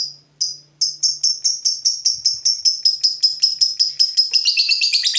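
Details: Fighter lovebird provoked by a rival, moving from "ngetik" into a long "ngekek": a few spaced sharp chirps that quicken into an evenly repeated series of clipped high notes, speeding into a dense harsh chatter at the end.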